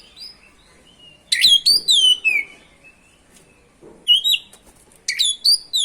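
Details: Oriental magpie-robin singing energetically as a lure to make other magpie-robins sing; sweeping downslurred whistles and clicks in three bursts.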